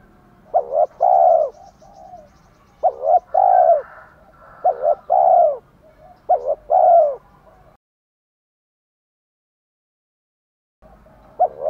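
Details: Spotted doves cooing, used to stir newly caught males into cooing. Four phrases of short notes and a long mellow coo follow closely, then a long silence and the start of another phrase.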